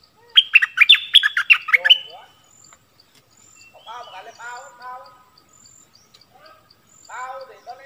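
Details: Cream-vented Bulbul decoy bird calling to lure wild birds down, recorded 16 March 2021: a loud burst of rapid, bubbly chattering notes over two seconds, then softer warbled phrases from other birds nearby.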